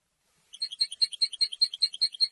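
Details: The European goldfinch's song defends its territory and draws in females. This one is a steady sequence of clear, high, bell-like chirps, roughly six per second, lasting about two seconds. The background is clean.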